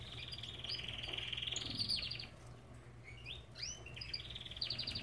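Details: Aviary-kept Belgian canary singing a long rolling trill, then rising whistled notes and a fast rattling trill near the end; low mechanical hum behind.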